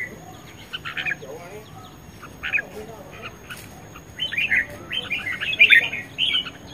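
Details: Red-whiskered bulbul, a caged competition bird said to be ready for contests, singing a fighting song: scattered short warbled phrases with some buzzy notes, growing denser and louder toward the end, with a steady faint high hum.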